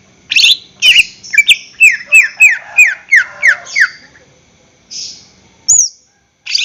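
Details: Greater green leafbird song used as a lure for caged birds: high squeaky notes, then a steady string of about seven downslurred whistles, followed by a pause and a few isolated high squeals.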